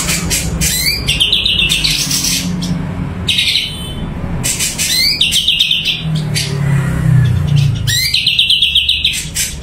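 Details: Energetic song of a Sumatran leafbird (cucak cungko): three long phrases, each opening with a rising sweep and running into a rapid even trill, separated by short pauses, over low droning noise.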